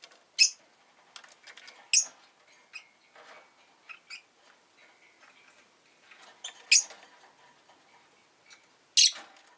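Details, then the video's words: Rosy-faced lovebird uttering shrill, sharp high chirps at irregular intervals, about four loud ones in ten seconds, mixed with softer clicks and faint twittering notes in between. "Lovebird Chirping Sounds"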